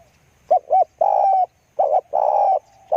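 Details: Spotted dove song heard close. A quick doubled coo runs into a long, even, hollow rolling note, then the short-long pattern repeats. The low pitch stays steady, with little background sound.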